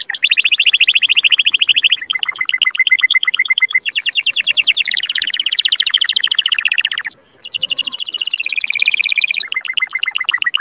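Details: Canary song meant to stimulate males and bring females into mating condition: loud, fast rolling trills of repeated high notes in long sections changing pitch, with a brief pause near seven seconds.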